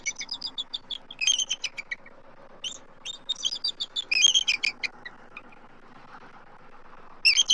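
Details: Adult eagles vocalizing at their Southwest Florida nest tree as an immature intruding eagle circles: rapid, high, squeaky chirping notes in short stuttering series, with quiet gaps between bursts.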